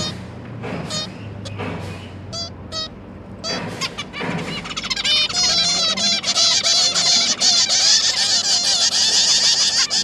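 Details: Captive zebra finch family, two parents and three juvenile babies, recorded 1 October 2022 at feeding time. Scattered nasal beeps build into a continuous, busy high twittering chorus in the second half.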